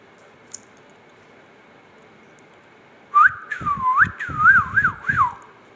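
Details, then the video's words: Indian ringneck parakeet talking: a silent start, then a bright looping whistle with rising swoops and repeated dipping curls, roughly two seconds long, indoors. "amazing ringneck talking"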